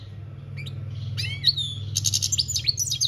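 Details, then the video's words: European goldfinch in 'campero' style song, 2021: a few sparse slurred notes give way to a dense, high, jingling twitter of fast chirps. A steady low mechanical hum runs underneath throughout. "Goldfinch singing - Jilguero Cantando Campero - Chant Chardonneret"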